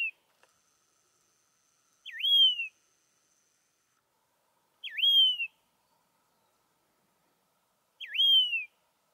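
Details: A Yellow-throated longclaw at St Lucia, Eastern Shores, KwaZulu-Natal, South Africa gives a clear, loud whistle that dips, then swoops up and tails off slightly, repeated about every three seconds against silence.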